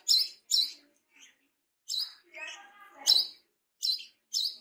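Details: Brown-throated sunbird, tame and singing actively: loud high chirps in pairs and singles, with a lower, drawn-out sound in the middle of the passage.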